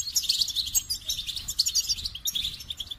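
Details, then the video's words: Goldfinch song: a fast, unbroken run of high, tinkling twitters and bright chirps, with no other clear sounds. "The Captivating Call of Goldfinches"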